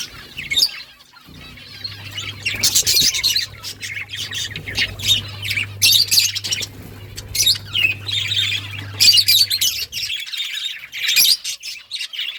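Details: Several budgerigars chirping in lively chatter, fast squeaky warbles and harsh squawks coming in rhythmic bursts, a low hum running through most of it.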